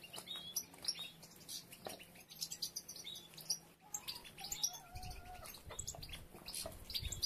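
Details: European goldfinches as females begin gathering material for nests, with three nests already under construction; bright, high twittering chirps and short trills overlap from several birds, while a lower whistled note and faint fluttering sit underneath.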